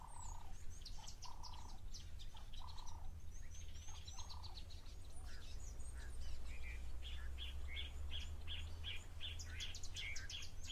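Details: Long-billed crombec at Cateye Pan waterhole, Naledi Lodge, Olifants West in the Greater Kruger, South Africa, picked up by a wildlife camera. Low hooting coos open the recording, then a fast steady series of sharp repeated notes follows, amid chirps from other birds and a constant low hum.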